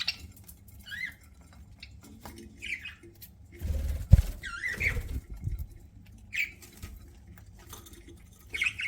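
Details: Pet budgerigar chirping while eating: short warbled chirps rising and falling, scattered every second or so, with a dull thud and low room hum between calls.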